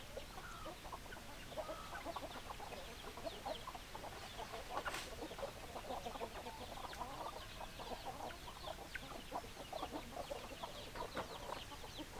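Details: Hens clucking in a chicken flock: a continuous busy chatter of short clipped clucks from many birds, with one sharp sudden noise near the middle.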